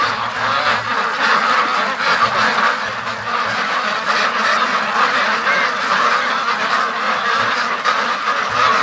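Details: A big free-range duck flock going straight into the pen after coming home from the lake; a sustained noisy chorus of nasal quacks and honks from many birds, with low bumps at times.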